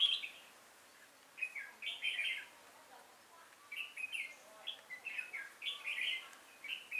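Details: Caged red-whiskered bulbul used as a trap decoy, singing to lure wild bulbuls, recorded 5 October 2018; short bright warbled phrases, rising and falling, come in bursts separated by brief pauses.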